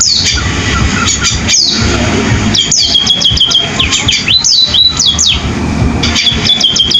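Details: Canary-style singing from a sparrow: clusters of sharp high chirps and swooping whistles in lively bursts separated by brief lulls, with a steady low noisy backdrop.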